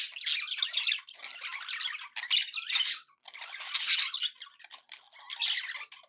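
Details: Happy budgies chattering: bright scratchy warbles and squeaks in several loud bursts with short pauses between.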